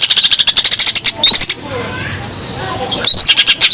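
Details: Greater green leafbird, in full song as a lure for other birds: rapid runs of bright pulsed notes repeated about ten per second, with high sweeping whistles around the middle and a quieter gap before the bursts resume.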